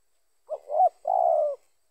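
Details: A single spotted dove phrase, used to lure other doves: a quick soft note, a rising-falling coo, then a longer, even, mellow note lasting about half a second.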